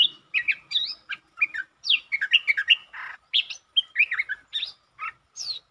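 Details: Streak-eared bulbul, recorded 13 February 2023, sings a lively run of short, bright chirps and slurred whistles, several per second, rising and falling in pitch with brief pauses, including long and doubled song phrases.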